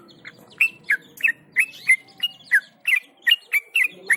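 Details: Yellow-vented Bulbul (trucukan), tame enough to keep singing while held in the hand, gives a quick series of sharp chirped notes. Notes are slightly rasping, each with a short whistled tail, about three per second; faint low background noise.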